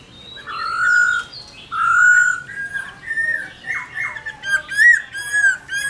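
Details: Captive black-throated laughingthrush singing in the forest-voice style with many voices: loud, clear whistled phrases, some long and level, others rising or falling, each followed by brief pauses.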